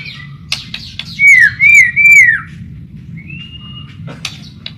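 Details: White-rumped shama song used as a lure for shamas: three loud, clear down-slurred whistles in quick succession, then a thin level whistle, with scattered sharp clicks.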